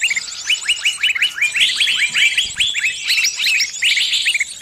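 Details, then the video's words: Caught bird calling for help from its flockmates with a regular stream of sharp, downslurred chirps, about three per second, layered with higher twittering. "Suara burung kejepit & mintatolong ke teman teman nya"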